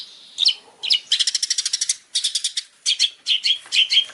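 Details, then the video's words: Champion Long-tailed shrike master song used to train other shrikes: a run of fast, even, buzzy pulsed chatter, then separate harsh slurred notes repeated about every half second. "masteran cendet juara|buat cendet pastol"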